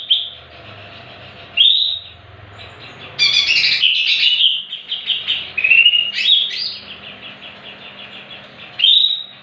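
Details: Greater green leafbird song played as a lure to draw intense singing from other leafbirds: high, clear whistled phrases with quick warbled runs and slurred notes, broken by short pauses, a low steady hum underneath.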